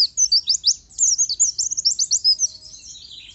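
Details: Non-stop high-pitched warbling from an oriental white-eye (pleci) in lively 'gacor' form, a dense chain of quick squeaky whistles and flicking notes packed tightly together.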